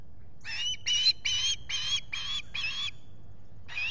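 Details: At a solar-powered nest camera at Salt Point, Finger Lakes, US, in July 2021, an osprey calls while a visitor is at the nest. Six loud piping chirps come in quick succession, then a seventh begins.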